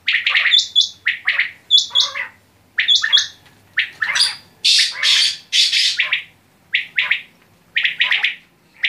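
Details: Quail uttering repeated groups of high chirps with short whistled tones, broken midway by a rougher, harsher squawking burst, then returning to spaced chirp clusters.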